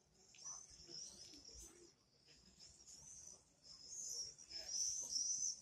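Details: Several common swifts screaming together, long shrill trilling bursts that swell and fade, loudest toward the end, over a low murmur of background sound.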